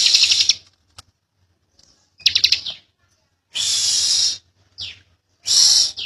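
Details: Bar-winged prinia, young bird, in short separate bursts of high buzzy rattling and chattering notes, with silent gaps and a faint low hum between them.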